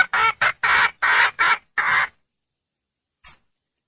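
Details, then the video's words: Female red junglefowl calling for a male with six short, hoarse notes in quick succession, each under half a second, then quiet apart from a faint click. "le bruit d'une poule sauvage,เสียงไก่ป่าร้องหาถู่หาตัวผู้,ສຽງໄກ່ປ່າຮ້ອງຫາຄູ່ຮັກ, poj qaib qus see"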